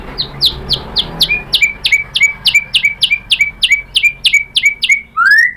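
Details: Lure song of a white-rumped shama meant to make a rival bird answer: about fifteen rapid repeated notes, each a high chip dropping into a short whistle, ending with a rising upslurred whistle.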